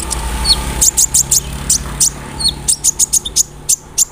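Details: Sunbird song used to prompt other sunbirds to respond: a steady series of short, piercing high chips with a few lower whistled notes, over a low background hum.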